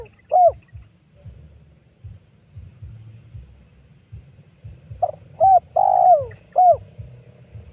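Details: Spotted dove call from 2022, meant as a lure for trapping wild doves: one brief coo at the start, a long silence over low hum, then a full phrase of two quick coos, a long sliding coo and a closing short coo.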